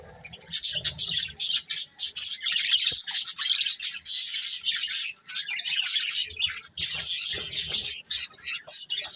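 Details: Group of colourful budgies chirping, a dense stream of high, scratchy warbles and tweets with short pauses, several birds chattering over one another throughout.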